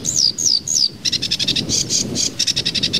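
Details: Sedge warbler song: three slurred whistles dropping in pitch, then a rapid run of harsh, clipped chattering notes repeated in uneven bursts.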